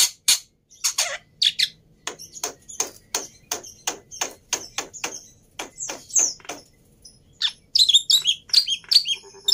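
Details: Lively black-winged myna song for prompting mynas that have stopped singing: loud harsh bursts, then a long series of short, sharp notes repeated steadily, ending in a tumble of high, squeaky, varied chatter.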